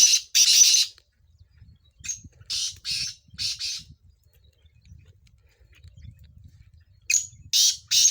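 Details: Sindhi kala tetar (black francolin) heard in chakree training. A pair of loud, raspy bursts opens, then a softer spaced series of harsh notes. After a lull, another rapid triplet follows, all over a steady low rumble.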